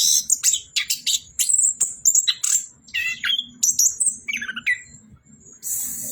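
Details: Orange-headed thrush pouring out a fast medley of high chirps and thin whistles, then a few lower warbled notes, finishing with a loud hissing burst.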